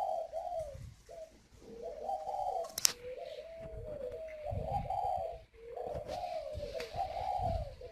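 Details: Large, very tame, hand-raised male spotted dove cooing with a whistle-like voice. Rising and falling coo phrases come in a steady chain across the whole stretch, with short gaps and one sharp click partway through.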